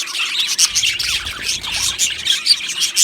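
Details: Aviary budgerigars chirping in a colony: quick, bright twitters and squeaky whistles rise and fall in a close, lively jumble, several birds calling over one another.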